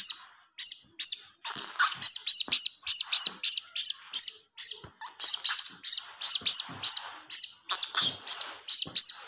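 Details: Young blue-crowned hanging parrot begging, a sound used to lure birds: an almost unbroken stream of high, insistent chirps, several per second, with only brief gaps.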